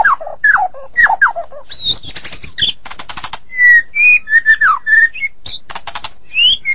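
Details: White-rumped shama singing in the morning: a rich, varied run of slurred falling whistles, clear rising notes and harsh buzzy rattles, with phrases changing every second or so.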